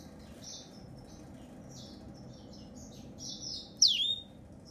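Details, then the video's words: Yellow-fronted canary singing: a series of thin, high, buzzy-warbled phrases in short bursts, ending in a louder sharp swooping note that dips and rises, over a faint low indoor hum. "ياسمين رصاصي افريقي chanteur "d'Afrique"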